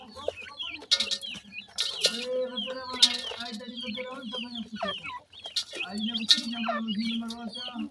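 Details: Feeding of young wild grey francolins on termites; rapid high peeping from several chicks, short sweeping notes packed together, while a person talks steadily underneath and sharp clicks recur.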